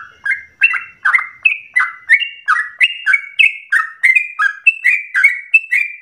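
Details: Yellow-vented bulbul giving a bubbly lure song to set other bulbuls singing long phrases; fast chortling notes, about three per second, bouncing between two pitch levels.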